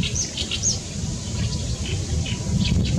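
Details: Great reed warbler calling out on 14 May 2021, giving a short burst of scratchy, chattering song phrases beneath heavy low-pitched wind noise.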